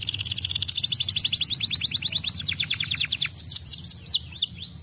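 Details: Canary singing to encourage lazy canaries: a long rapid trill of high repeated notes that slows into descending whistled sweeps and twisting high slurs.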